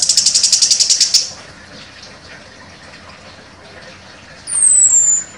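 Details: Contest-champion chestnut-capped thrush singing in a sharp 'nembak' style: a rapid, evenly pulsed high buzzy trill of about a dozen notes over a second, a quiet pause, then one thin high whistle sliding downward.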